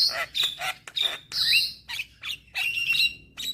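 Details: Young Javan myna singing vigorously while bobbing its head: harsh squawks mixed with high, clear whistled notes in uneven bursts, with brief gaps between phrases.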